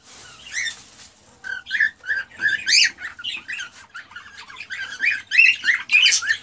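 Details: Excited male cockatiel singing to stimulate a female to mate and breed; a run of short harmonic chirps and whistled notes around mid-high pitch, uneven in rhythm, with a brief noisy burst at the start.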